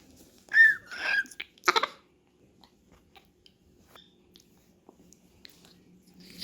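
A Grey parrot chick gives a short burst of squeaky whistles and raspy, wheezing notes for about a second and a half, then only faint clicks of feeding.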